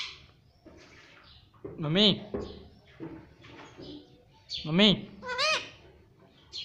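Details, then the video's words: Pet parrot, a talking green ringneck kept indoors, saying "mummy" in short voiced, harmonic-rich syllables with wavering pitch, two strong utterances about three seconds apart, with quieter chatter and room noise between. "Mummy Papa Bolne Wala Tota || Talking Parrot || Pattu Parrot Talking"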